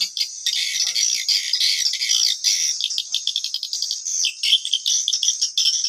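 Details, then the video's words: Original 2022 swiftlet call used as a lure for a bird house: shrill, crowded chattering and rapid clicking chirps pouring out without pause, rising and falling in loudness. "SUARA PANGGIL WALET ORIGINAL 2022"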